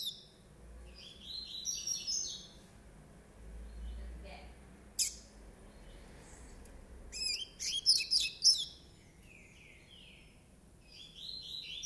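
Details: Nine-month-old rusty-collared seedeater (coleiro pardo) singing; high, thin twittering phrases and sharp buzzy bursts come in intermittent bouts separated by quiet pauses.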